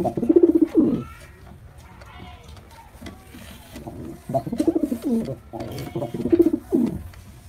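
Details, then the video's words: White male pigeon performing: three bouts of low, rolling, pulsed cooing separated by quieter pauses, with a steady background hum. "Pigeon Sound Effect male pigeon Super Performance"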